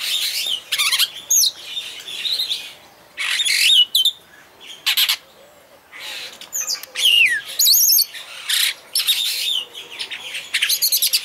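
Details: Captive superb starling (Spreo superbus) at Vogelpark Walsrode, Germany: bursts of grating, buzzy chatter alternate with clear slurred whistles, some falling steeply, in phrases separated by short silences.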